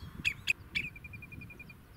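Common redshank giving three clear, ringing whistled notes, followed by a quick run of short, evenly spaced pips at the same high pitch, over faint low rumble.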